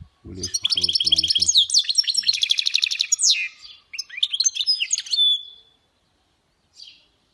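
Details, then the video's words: Song of a European goldfinch hybrid, or mule: quick twittering phrases, repeated trilled notes and a buzzy rattle, then a pause and a second burst of sharp chirps ending in a thin whistle; low knocking noises at the start. "تغريد خلوي بصوت هجين الحسون Chant mulet Chardonneret"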